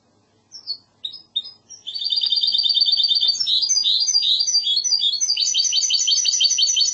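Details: Goldfinch hybrid singing the classic Andalusian song: several spaced high notes open into a long buzzy trill, followed by quick twittering phrases and a rapid rhythmic run of repeated notes.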